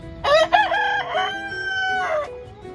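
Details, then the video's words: Rooster crow fills the clip, a bold stuttering start, then a long sustained rasping note that fades away, with faint music underneath. "Rooster Crowing Compilation 2023 || Natural Rooster Crowing Sound Effects"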